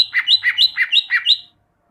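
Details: Greater green leafbird song used to coax caged birds into singing: six evenly repeated two-part whistled notes, each bright and slightly falling, delivered quickly.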